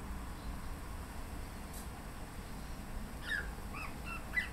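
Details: Australian magpie perched on a suburban Melbourne boundary fence in late afternoon light drizzle, during a long mimicry-rich song, gives a few short, bright warbled notes over a steady low background hiss.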